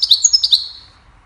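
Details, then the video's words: Goldfinch singing a cheerful melody used to teach songbirds: a brief burst of rapid, high tinkling twitters that fades away within a second, with no other sounds. "Goldfinch sings a cheerful melody to teach the birds goldfinch chirping"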